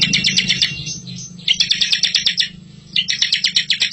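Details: Bar-winged prinia master song for training young birds: close-spaced, rapid chattering trill notes in two runs, separated by a brief softer gap, over a constant low droning hum.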